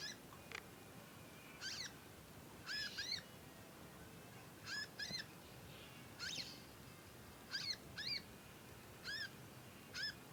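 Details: Juvenile conin in long nyecet calling while learning to sing. Repeated thin, arched chirps, often in quick pairs, are spread irregularly over ten seconds with faint hiss between.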